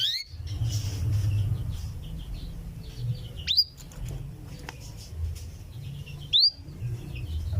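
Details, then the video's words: Calling for the male, a female canary gives loud upward-sweeping 'cuwit' notes, two standing out clearly a few seconds apart, with faint chatter and a low hum behind. "suara kenari betina cuwit-cuwit memanggil jantan"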